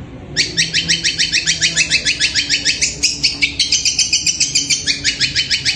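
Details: Long-tailed shrike at night with a voice compared to a kuntilanak: after a short pause, a rapid string of scratchy, rasping notes, roughly three each second, continuing to the end.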